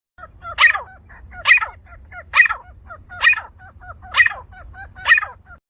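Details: Grey francolin (teetar) in a village setting, giving loud, harsh calls repeated about once a second. Each call has a strong ringing note with fainter lower notes around it, over a low steady hum.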